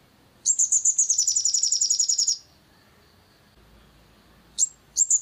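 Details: Long-tailed shrike song, played to make another shrike sing actively: a fast, even series of about twenty high, ringing notes over two seconds, then silence and two short sharp high notes.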